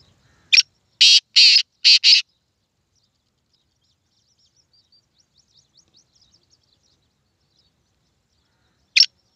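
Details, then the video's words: Black francolin giving a grating call of five loud, raspy bursts in about two seconds, followed by quiet faint ticking and one more harsh note near the end. "Black Francoline voice/Kala Teater boli/سندھی تیتر بولی"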